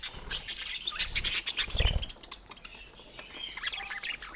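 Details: Budgerigars kept as pets chattering with rapid high chirps and scratchy squawks in the first two seconds, then quieter warbling with some clicks and rustling.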